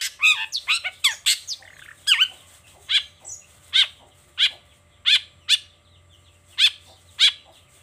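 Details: Long-tailed shrike singing in the morning, showing off its repertoire: a jumble of scratchy phrases, then a series of short, nasal, harmonic yelps spaced roughly half a second to a second apart.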